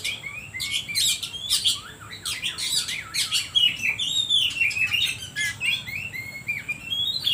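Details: Oriental magpie-robin song used as a lure to stir other birds: a dense jumble of harsh squawky notes, chirps and slurred whistles, nearly continuous throughout.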